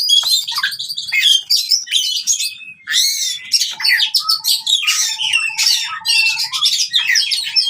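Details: Oriental magpie-robin song in fighting style, for birds that stopped singing: fast varied chirps and swooping whistles, then a string of short low whistled notes repeated many times under high chatter.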